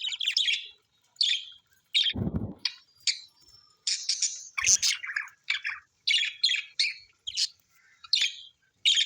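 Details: Australian birds singing: bursts of high, scratchy chirps and twitters in quick succession, broken by short pauses, with two dull low thumps partway through.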